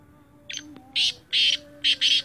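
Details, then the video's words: Black francolin, a Sindhi teetar, calling: a short faint lead note followed by loud buzzy, rasping bursts in a quick grating phrase over a low steady background hum. "sindhi teetar ki awaz"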